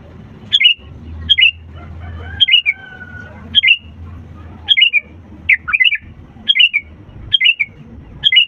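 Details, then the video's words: Sooty-headed bulbul singing energetically to encourage reluctant birds to sing: about eleven short, sharp, falling bubbly phrases in a steady series, one softer drawn-out whistle midway, over low humming background. "pancingan kutilang gacor untuk burung malas' bunyi"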